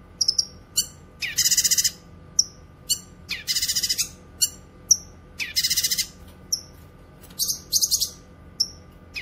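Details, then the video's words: Grey-cheeked bulbul song meant for training and luring: loud chattering rattles of rapid notes alternate with single sharp chips and short falling whistles, the pattern repeating through the passage. "Masteran suara burung CUCAK KINOY gacor cocok untuk masteran dan pikat"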